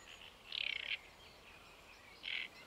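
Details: Great reed warbler singing at Paxton Pits Nature Reserve, 28 May 2016: two loud, grating, stuttered croaks about one and a half seconds apart, with quieter scratchy notes in between.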